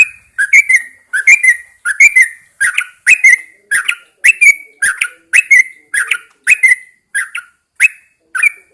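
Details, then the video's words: Yellow-vented Bulbul kept in a cage and hung out at dawn, singing a long, steady run of liquid, warbling double and triple notes, phrase after phrase with short gaps. "Pengembunan Burung Trucukan"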